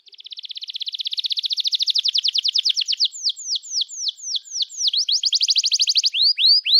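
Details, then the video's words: Canary in long, energetic full song, used as a tutor to get young canaries learning to sing: a rapid trill of rising notes that speeds up, then slower downslurred sweeps, then another fast trill, with no other sounds. "Kenari Gacor Panjang Cuit Cuit Emosi, Pancingan Kenari Paud Belajar Bunyi, terapi ampuh kenari macet"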